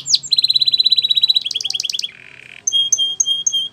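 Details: Belgian canary in training song: a fast rolling trill of high notes, a short burst of rich chirps, a brief soft buzzy passage, then several spaced pure whistled notes.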